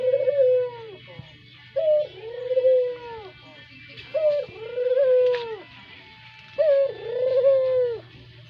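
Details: Caged brown Barbary dove with a sweet lure call: four rhythmic coos about every two seconds, each a short sharp lead note followed by a long arched hooting tone, with a low electrical hum beneath.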